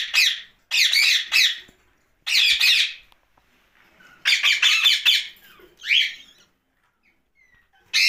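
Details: Green ringneck parrot, a rose-ringed parakeet talking at night, uttering separate bursts of harsh, scratchy squawks, each lasting under a second, with long quiet gaps between them.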